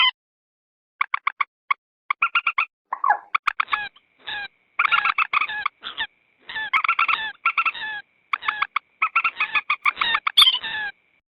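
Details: Moorhen lure sound, edited to bring wild common moorhens closer around marshes and paddies. Busy irregular chatter of short harmonic clucks and longer nasal notes, with one lower, descending croak near the start.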